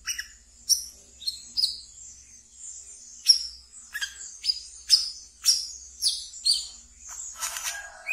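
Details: Ngeriwik song of a captive brown-throated sunbird used to stimulate untrained birds: thin, high, piercing tweets spaced irregularly, some sliding downward, ending in a rough buzzy rattle.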